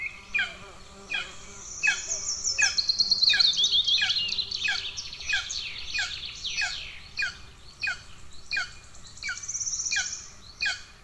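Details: Starving golden eaglets at an Estonian nest on 2 June 2024, the first chick attacking the second: steady series of high, downslurred piping notes about once a second, with a faster, bright twittering run layered over the middle.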